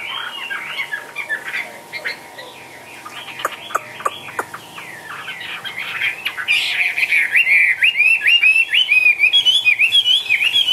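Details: Chinese hwamei, a caged bird hopping about, gives a soft, muddled warble with a few sharp clicks, then breaks into loud, fast, slurred whistled phrases in the second half.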